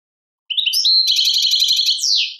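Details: European goldfinch from Algeria, song labelled Tadmait, delivering one brisk phrase: thin rising chirps, then a fast, even, tinkling trill that ends in a swooping downward note; nothing else audible.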